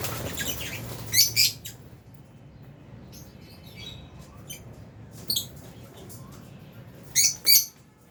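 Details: Lovebirds, albino and Fisher's, in an aviary give short high chirps in sparse bursts, two loud at the start and two near the end, with faint twittering between and low background noise.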